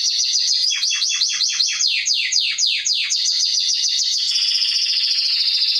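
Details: Atlantic canary singing for young birds to copy: rapid repeated downward-sweeping notes, slowing into broader swoops, then merging into a continuous rich buzzing trill.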